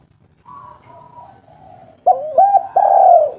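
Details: Vocal local spotted dove with a deep, sweet tone, used as a calling lure. A soft hum at first, then three loud looping coos run together near the end.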